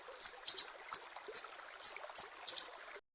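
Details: Sumatran mangrove whistler giving its sharp 'besetan' call, recorded as a training master for songbirds: eight or so piercing high chips, several in quick pairs, at an uneven pace, then silence.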